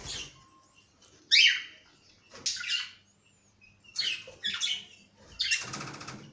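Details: Cockatiel producing short bursts of raspy chirps and squawks, grouped in quick runs separated by brief silences, with one sharp loud note early on and a faint whistle in a gap.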